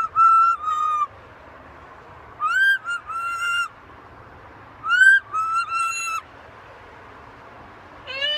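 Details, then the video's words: Pet talking macaw on a home balcony giving loud tonal whistled calls with bright harmonics, in three bursts of two or three notes each, rising then held, separated by pauses of about a second and a half. "Our talking Macaw"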